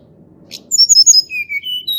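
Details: Sunda robin song for luring reluctant singers: a brief high note, then a rapid run of clear whistles that settles into longer, level whistled tones, over faint low background rumble.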